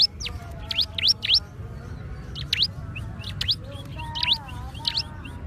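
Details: Scattered high V-shaped chips of a bar-winged prinia, fainter and less regular, mixed with quieter lower whistled notes from other sources and a steady low background rumble.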